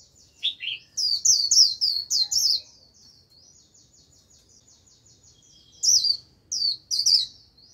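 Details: Japanese white-eye used as a decoy to lure a wild flock, singing bursts of high, thin twittering chirps in two clusters with a quiet gap between, each cluster a quick run of sweeping notes.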